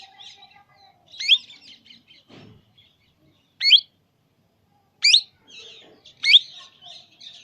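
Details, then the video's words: Indian baby parrot giving short, harsh, rising squawky calls in four loud bursts about a second or more apart, with fainter chattering and a brief low thud between them. "Beautiful Indian Baby parrot Sound"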